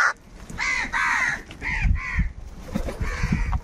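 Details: Crows fighting for food give a run of hoarse, arched caws, several in quick succession, then fainter calls, with low rumbling background noise.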